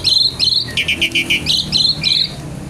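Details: Javan pied starling in energetic kretekan nggaruda song: loud, harsh, clipped notes repeated about every half second, broken by a quick rattling run of lower crackling notes.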